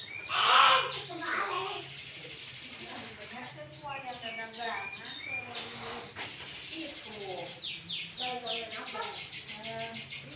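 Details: Sooty-headed bulbul song, a loud lure recording meant to provoke bulbuls into calling, mixed with green leafbird phrases. Bubbly harmonic whistled notes in short phrases, then a rapid series of descending sweeps, over a low steady hum.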